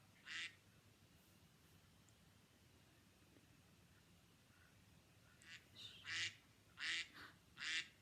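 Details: Duck of ponds and lakes: one harsh, nasal quack, then a pause over a steady background hiss, then a run of four or five rasping quacks in quick succession toward the end.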